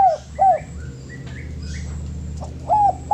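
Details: Short bit of spotted dove song for bird training: soft falling coos at the start and end. Faint higher whistled notes from other birds sound in between over a low steady hum.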